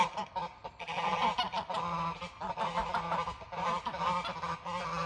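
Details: Protective mother goose honking harshly and repeatedly in defence, the nasal blasts coming in uneven bursts with brief pauses, somewhat quieter and rougher.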